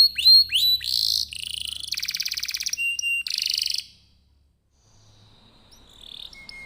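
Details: Singing canary used as a lure for other canaries: rising whistled notes, buzzy trills and rattles for about four seconds, then near silence with faint distant notes.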